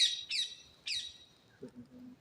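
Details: Wild parakeets in the deep forest of Kuldiha, Odisha, India, near a waterhole visited by drinking animals, give three loud, grating squawks in quick succession, followed by soft lower notes and faint forest ambience.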